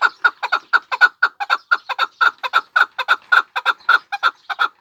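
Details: Pamir chukar partridge repeating crisp chuck notes in a lively, slightly uneven rhythm, roughly four or five per second, each note clucking and of steady pitch.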